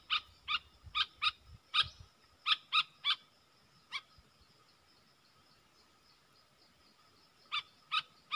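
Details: A bulbul, caged and dueling in song with wild birds on 3 October 2021, gives sharp bright notes in quick pairs and triplets, then falls silent for several seconds before resuming; light background hiss and low rumbling.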